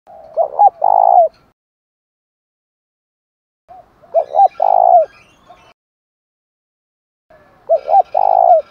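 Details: Spotted dove giving 'thúc gù' style cooing, used to stimulate wild birds and decoy birds into calling; three low phrases spaced about three and a half seconds apart, each two short clipped coos followed by a longer drawn-out coo.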